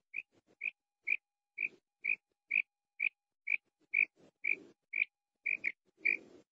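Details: Female quail calling, a voice used for quail hunting: short sharp notes repeated about twice a second in a steady series, each with a lower rough component, some notes doubled, later ones louder and harsher.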